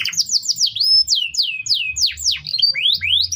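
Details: Short canary training song: clear descending and rising slurred whistles in quick succession, some notes swooping upward, over faint low rumble.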